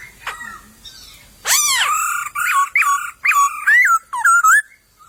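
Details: Wild white-crested laughingthrush in a bamboo thicket: a loud harsh arching squeal, then a string of warbled whistled notes that wobble up and down, each short phrase separated by brief pauses.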